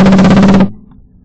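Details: A woodpecker, guessed by speed to be a Downy or Red-bellied, drums near a wood duck nest box on 3 June 2021, a rapid, even roll of hollow, booming knocks lasting just over half a second, then quiet.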